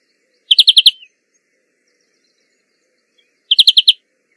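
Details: European greenfinch (Chloris chloris) singing in the wild. Two brief rapid trills of about five notes each sound three seconds apart amid silence.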